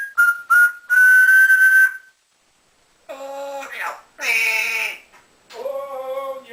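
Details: Male African grey parrot in a home cage, taught to whistle and speak phrases. It gives piercing short whistles and a sustained note, then lower, voice-like talking sounds with rich harmonics after a silence.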